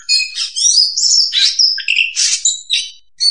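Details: Oriental magpie-robin singing a trapping lure: dense, continuous high warbling with rich scratchy notes and clear whistles tumbling together, ending after a short gap with one more whistled phrase.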